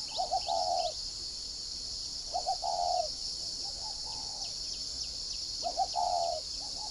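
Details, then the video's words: Whistle-voiced (giọng còi) decoy spotted dove cooing: brief stuttering notes run into a drawn-out soft coo, repeated three times at irregular gaps, with a faint softer phrase between them and constant high insect droning behind. "Mồi giọng còi"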